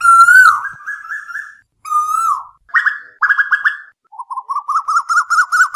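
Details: Asian koel, from a night-time lure recording: two drawn-out whistled notes that dip at the end, followed by short runs of rapid repeated notes, the last run rising gradually in pitch.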